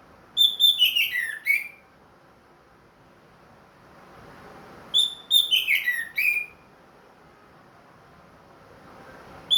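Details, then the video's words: Captive ringed orange-headed thrush, singing regularly after its moult. It gives two similar fast phrases about five seconds apart, each a tumbling string of sharp notes stepping downward in pitch. "MERANGSANG ANIS MERAH BUNYI PLONG"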